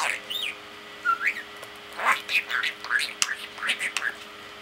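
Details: Pet parakeet talking to himself: a rapid jumble of warbled whistles, clicks and chirps, some rising and falling, in bursts with brief pauses, over a faint steady hum.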